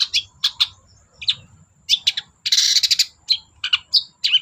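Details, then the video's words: Long-tailed shrike in lively, nonstop lure song meant to prompt silent shrikes to sing: rapid bursts of sharp, chattering high notes and short harsh trills, with a burst of dense scratchy notes midway. "BURUNG CENDET GACOR DOR PANCINGAN CENDET MALES BUNYI"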